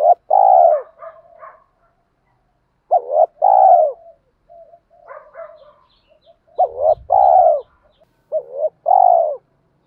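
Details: Spotted doves, cock and hen, cooing to prompt birds in training: four phrases, each a short double note and a long mellow coo. Faint chirps and murmurs are heard between the phrases.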